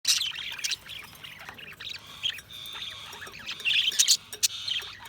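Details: Budgerigars chirping: busy high chirps and squawks, a warbling twitter with short sharp notes bunched near the start and again toward the end, several birds calling together.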